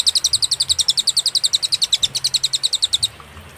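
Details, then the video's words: Cililin singing clearly, meant as a master recording for songbirds: an unbroken three-second stream of fast, high, slightly wavering chips, about eight per second, then quiet. "burung cililin suara jernih & berjeda"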